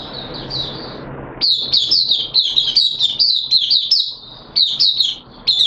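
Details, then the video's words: Caged oriental white-eye in wet weather on 6 September 2022, giving its opening song: a quiet start, then a sudden energetic run of high, rapid slurred chirps, a brief lull, and another bright burst. "Mata Puteh T Rex Buka Sing"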